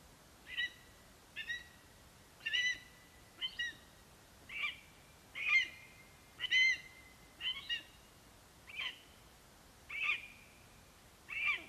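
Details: Male lesser spotted eagle at a nest on a Latvian live nest camera, 11 September 2021, bringing a vole and calling for his mate: sharp yelping notes, roughly one per second, repeated about a dozen times, each slightly bent and rising.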